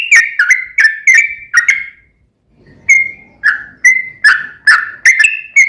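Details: A sooty-headed bulbul whistles short liquid notes in quick runs, pauses amid a soft low rustle, then resumes with evenly spaced notes; the song is meant to get a caged bird calling back.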